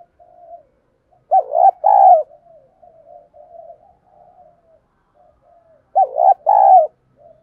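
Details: Female spotted dove calling as bait for wild birds, two throaty three-part coo phrases several seconds apart, linked by quiet wavering soft coos.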